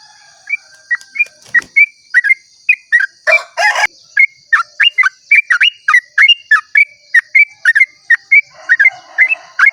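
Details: Dawn 'ropel' song of a yellow-vented bulbul: a lively string of short warbled, bubbling notes repeated rapidly throughout. A brief loud crackling noise interrupts near the middle, and a steady high hum persists.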